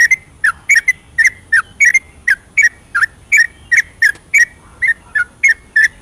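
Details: Yellow-vented bulbul at night in full ropelan song, meant to rouse a silent bird: clear, downward-slurred whistles in a steady series, about two notes a second, a few doubled.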